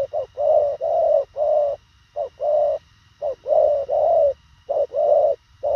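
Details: Thổ khàng spotted dove delivering quick, concise cooing: grouped low coos, short notes leading into longer rounded ones, in bursts separated by brief silences, against a faint low hum.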